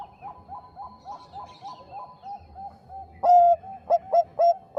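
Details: A distant zebra dove repeats soft, evenly spaced coos for about three seconds. Then a loud, close Bangkok-type zebra dove breaks in with a long coo and short punchy notes, a song used to provoke rivals.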